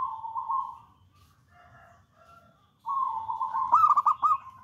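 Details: Zebra dove of local wild stock, a prolific bold singer used as a lure and master bird, giving a long purring coo, a pause with soft notes, then a rising rolling phrase ending in quick stuttered beats.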